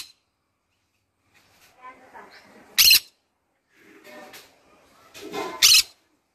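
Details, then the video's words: Pet green-cheeked conure singing in the morning indoors: two sharp, harsh, piercing squawks about three seconds apart, with soft muttering chatter in between. "green conure singing in the morning"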